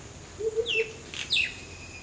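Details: Common myna singing: three low whistled notes, two high descending slurred whistles, and a harsh rasping burst between them, over faint background hiss.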